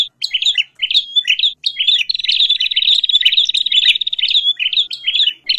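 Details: Agitated bar-winged prinia calls that stir up others of its kind: choppy chirp bursts opening, a sustained buzzy rattle in the middle, then more quick chirps.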